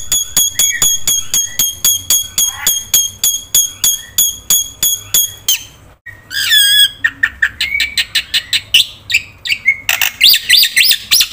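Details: Black-winged myna song for prompting silent birds to sing: a long run of evenly spaced high ticking notes, then varied swooping whistles and harsh chattered phrases.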